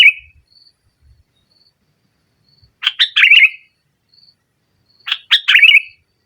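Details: Sooty-headed bulbul singing in nggaruda style to dominate rivals: a brief note at the start, then two matching phrases about two seconds apart, each of clipped notes leading into a bubbling, downward-sliding warble, with faint thin whistles between.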